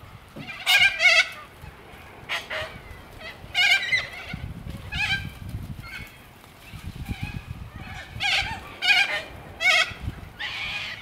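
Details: Huge flock of little corellas, well over a thousand birds, foraging on the ground and in trees in suburban Melbourne; repeated harsh screeching calls in bursts from many birds, with low rumbling background noise.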